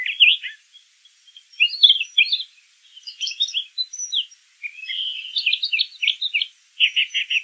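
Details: Brown thrasher singing: a jumble of warbled, chattering phrases at shifting pitches, ending in a rapid buzzy repeated note series.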